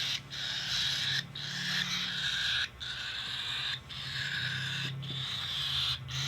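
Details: Hand feeding of a cockatiel: long, scratchy, continuous begging wheezes broken by short gaps roughly every second, with a humming low drone throughout.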